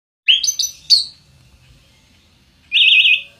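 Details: Orange-headed thrush, known locally as anis kembang, gives a few loud clear whistled notes followed after a pause by a rapid warbling trill.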